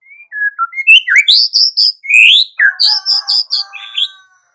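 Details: White-rumped shama in spirited 'gacor' song to provoke other shamas: soft whistled notes build into loud varied phrases, bright rising whistles and a harsh rattling section with low buzzy undertones.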